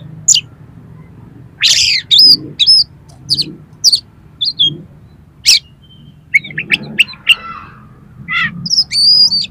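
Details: Oriental magpie-robin (kacer) song used as a trigger to make a kacer sing and fan its tail: scattered sharp high chips and short buzzy bursts separated by pauses, over a faint low hum.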